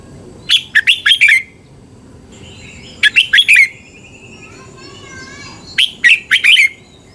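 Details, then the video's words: Caged-bird training recording from Thailand of a red-whiskered bulbul: three bursts of rapid, liquid warbling phrases, each of four or five sliding whistled notes, spaced about every two to three seconds, with a faint distant chirping between. "เสียงนกกรงหัวจุก สำหรับต่อ หรือ เปิดให้นกคึก เสียงเพราะๆ"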